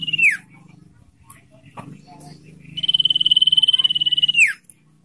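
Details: Common iora in full trilling (ngetir) song for luring and training captive birds: a falling slur, a pause with faint low noise, then a sustained rapid high trill of about 1.7 seconds ending in a downward sweep.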